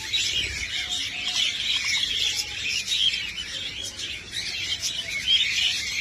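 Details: At feeding time, a group of budgerigars chatters together in a dense stream of high, scratchy chirps and warbles.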